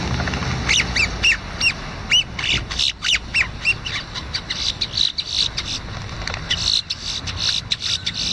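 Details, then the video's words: A crow at very close range in a Wal-Mart parking lot, Sanford, Florida, "singing" a quick run of short, hoarse, arching notes, several per second, then rougher rattling sounds, over steady hiss. "Singing Crow"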